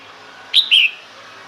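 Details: Red-whiskered bulbul female uttering a call meant to draw males near, a brisk two-note whistle, the first short and high, the second fuller and slightly lower, over steady faint hiss.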